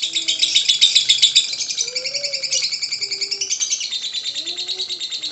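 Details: Lovebird song used to coax other lovebirds into singing: a dense, rapid, buzzy high chatter of trills repeated several times a second, loudest in the first second, with soft low cooing notes underneath.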